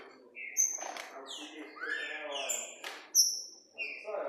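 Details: Green-winged saltator (trinca-ferro) singing: bright whistled notes, some long and level, others swooping downward, over a man's voice talking in the background.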